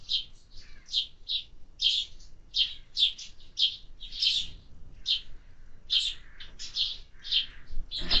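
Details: Sparrows chirping in a busy, overlapping series of short, bright notes, several per second with brief pauses, against faint low background rumble.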